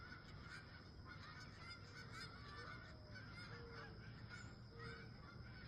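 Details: Wild geese at sunrise near a campsite, calling in a steady stream of short, nasal honks that overlap as several birds call together, over a constant low rumbling background and a few faint drawn-out whistled tones.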